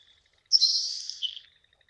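A Nelson's Sparrow gives one dry, hissing, high-pitched sizzle lasting about a second, like bacon dropped into a hot pan, ending in a brief sputter.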